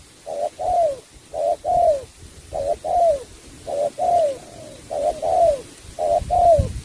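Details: Spotted dove from Cà Mau singing, repeating a two-part coo phrase about once a second, each a short note followed by a longer falling, hoarse coo, steady and clear.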